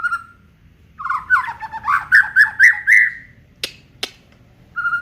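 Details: White-rumped shama of the Aceh variety singing its full repertoire. A level whistle leads into loud, looping slurred notes that rise step by step. Two sharp clicks follow, then another low whistle.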